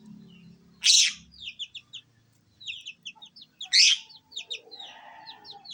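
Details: Lovebird giving sharp, high, slurred chirps in quick series, with two loud harsh squawks about three seconds apart and a low clucking sound at the start.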